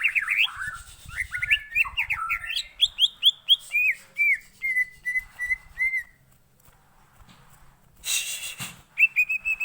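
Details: Green leafbird singing, played as a lure to get green leafbirds singing: tumbling slurred whistles, then evenly repeated rising whistled notes. A brief burst of hiss follows a quiet gap, then more clear whistles.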